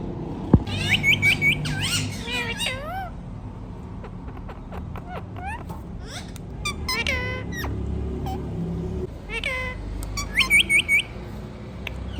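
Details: Indian ringneck parrot talking "Mithu Mithu": scattered squeaky, warbling syllables and rapid repeated chirps at the start and near the end, with faint clicks between, over steady low background noise.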